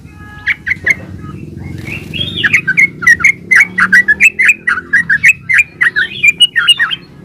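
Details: Vigorous yellow-vented bulbul singing, played as a lure to get other bulbuls singing back: a few opening notes, then a fast, continuous run of gurgling, bouncing warbled phrases over a faint low hum.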